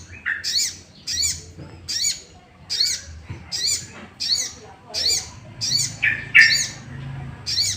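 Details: Sooty-headed bulbul lure song meant to excite other bulbuls into singing; bright arched high notes repeated roughly every second, a few lower harsher notes mixed in, light background hum.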